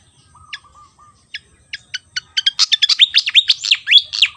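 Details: Vigorous song of a Javan fantail: scattered high chips over faint lower whistles, quickening into a dense, jumbled burst of loud sweeping notes that rise and fall.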